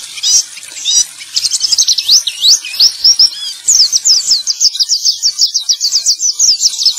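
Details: Lure song of a male white-eye for birds gone quiet: it starts with jumbled high chirps, then shifts into a fast, even string of sharp repeated whistled notes toward the end.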